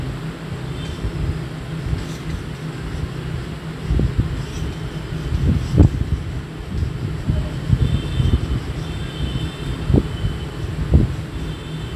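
Low rumbling wind and traffic-like noise with a few knocks; no clear animal call stands out.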